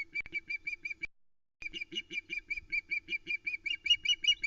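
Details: Female osprey on the Loch Arkaig nest, 2 July 2020, recorded by nest camera, fish-calling in indignation after the male flies off with a trout she ignored. Rapid, evenly repeated short whistled chirps, about two or three per second, with a brief pause near one second.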